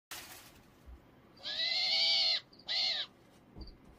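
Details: A captive female Eurasian eagle-owl, annoyed at someone reaching for her toy seal, gives two harsh, rasping screeches, the first about a second long and the second shorter, in a quiet room.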